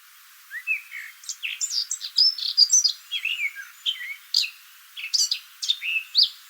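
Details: Eurasian blackcap singing on a shaded wooded footpath in the West Sussex countryside: a rich, musical warble of quick varied phrases, short twangy rising notes and high flutey whistles, delivered in bursts with brief pauses, little background noise.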